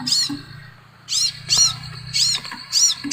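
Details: Crimson sunbird singing; when played, other birds are said to join in. Very high, thin arched notes repeated in short bursts about every half second, with a faint low hum underneath.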